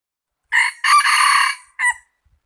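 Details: A single close rooster crow in three parts: a brief first syllable, a drawn-out rough and rasping middle, and a short tail note, set in near silence.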